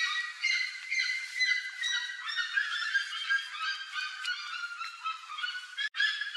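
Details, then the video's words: Plush-crested jays plundering corn on a trail give a steady flock chatter of mixed clear and harsh notes, many birds overlapping, with a brief dropout near the end. "PLUSH-CRESTED JAY (CYANOCORAX CHRYSOPS), GRALHA-PICAÇA Rooks plundering corn from the trail."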